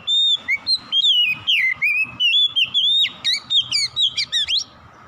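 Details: Oriental magpie-robin, called kacer, in rich continuous song: rapid strings of bright whistled notes, slurred up and down, ending in a burst of fast sharp upsweeping chips; meant to prompt a silent bird to sing.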